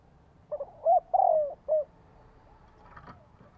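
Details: Cooing phrase from a spotted dove used to lure wild birds: soft double note, arched coo, long sliding coo and short last note, followed by a brief clatter.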